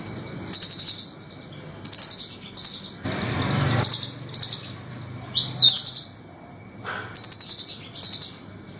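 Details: Rough, sharp master song of a velvet-fronted nuthatch, used to train caged songbirds: short bursts of fast, high, shrill ticking notes repeated roughly every second, with a brief noisy rustle in the middle.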